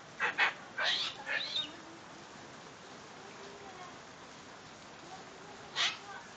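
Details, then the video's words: Female medium sulphur-crested cockatoo, a pet, happy after seeing rain: a burst of three or four rough, harsh squawks in quick succession, a long quiet gap, then one more sharp screech. "Cockatoo Singing In The Rain"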